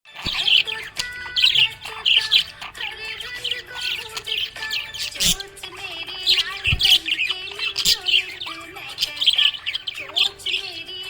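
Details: Happy budgerigar chirping: bursts of bright, scratchy high chirps and short warbles repeated every second or so, over steady tonal background music.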